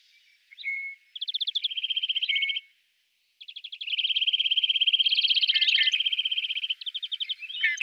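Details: Great grey shrike in the Loonsche Land, between the Loonse en Drunense Duinen, Huis ter Heide and the Efteling, giving fast, rattling trills of clipped high notes in two long bursts separated by a short pause.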